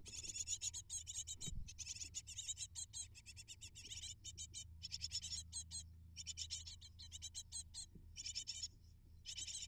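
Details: Great tit (Parus major) nestlings, eight in the brood, begging while parents deliver prey: dense bursts of high, scratchy chirps, rapidly repeated in a clamorous chorus with short pauses, over a low steady hum and one brief low thump.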